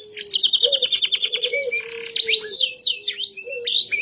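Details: Canary said to have forgotten its original voice sings a high, fast song. It opens with a rapid buzzy trill, then breaks into varied chirps and slurred notes. A low steady whistle runs underneath.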